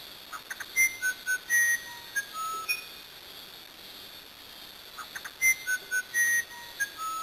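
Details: Song of the Brazilian musician wren: two phrases of sweet whistles at stepped pitches with short ticking notes, separated by a few seconds of near silence.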